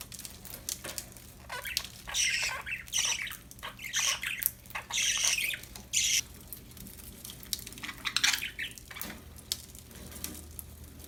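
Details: Happy budgerigars giving dense, harsh, scratchy chirps and squawks in clustered bursts, with clicking and rustling throughout.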